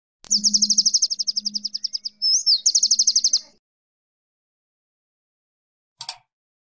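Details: Male lovebird in breeding condition, singing to arouse other males: a long rapid trill of high sharp notes, briefly broken by a slurred twist, then another fast trill, followed by silence and one short chip.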